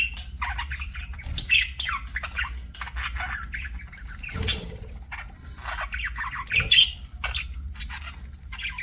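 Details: Pet budgerigars give softer, scattered chirps and scratchy twitters at a lower level, with a few louder squawks near the middle and end, over a steady low rumble.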